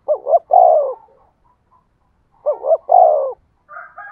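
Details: Spotted dove used as a lure to get wild doves cooing. Two phrases of a short double hoot plus a long falling coo, then a brief higher call from another bird at the end.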